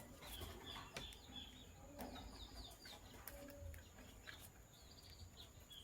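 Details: Sky Blue Opaline and Green Opaline lovebirds in the morning give a series of thin, high chirps in short bursts, repeated through the stretch, over a constant low hum and occasional sharp clicks.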